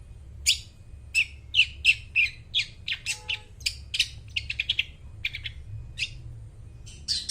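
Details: Long-tailed shrike song used to lure mute shrikes into singing: a varied, chattering stream of sharp chirps and squeaky notes, speeding into quick clusters midway, with a low hum throughout.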